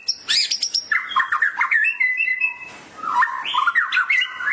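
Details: White-rumped shama song played to get a bird singing: rich varied warbling with rapid whistled runs, high chirps at the start, then fluid phrases at middle pitch.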